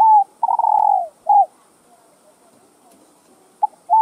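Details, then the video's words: Spotted dove cooing, played to stir other doves into calling: a low, hoarse coo phrase of a long falling note and a short one, then silence and the phrase starting again. "CHIM CU GÁY Giọng Hấp Dẫn ĐỦ BÀI [GÁY GỌI,THÚC,GÙ ]Kích Bổi Nhanh Nổi"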